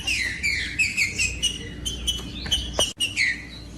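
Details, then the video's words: Green-winged saltator song, played to warm up and motivate other birds of its kind: loud clear whistled phrases, rich and slurred, some falling, given in quick succession with short pauses between notes. "COM TRINCA FERRO CANTANDO"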